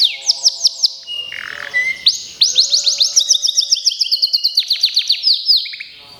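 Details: Local canary being prepared for a singing contest, delivering a varied song: rapid high trills, a low buzzy burst, then long fast rolling trills and descending sweeps. Faint low notes beneath.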